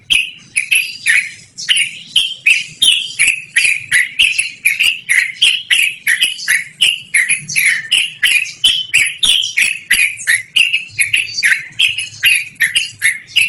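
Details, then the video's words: Long rolling 'ngerol' song of a yellow-vented bulbul, loud and melodious, meant for luring or training birds; bubbly slurred notes chained continuously at about three per second. "BURUNG TRUCUKAN GACORR NGEROL DURASI PANJANG"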